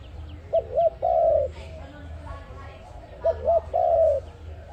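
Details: Dove call played as a lure for trapping: two short, clipped coos then a longer, drawn-out mellow coo, the whole phrase given twice about three seconds apart over a low steady hum.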